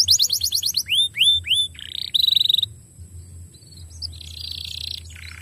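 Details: Canary song for stimulating canaries to sing: quick repeated slurs, three rising arched whistles, a sharp pulsing trill, then softer buzzy rolls fading toward the end.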